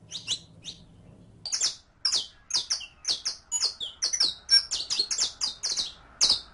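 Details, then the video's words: Saffron finch song for training a captive bird to sing. After a few opening chirps, it breaks into a fast, dense string of sharp, high, downslurred notes, about two per second, ringing and lively. "ENSEÑA A CANTAR A TU CANARIO CRIOLLO CON ESTE AUDIO DE 15 MINUTOS [SICALIS FLAVEOLA]"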